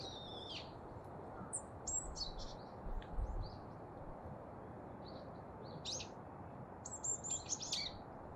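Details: Daurian redstart at Kasai Rinkai Park, Japan, captured on a Sony ECM-B1M microphone, giving short sharp high whistles and clipped ticking notes in scattered bursts over a constant low hum.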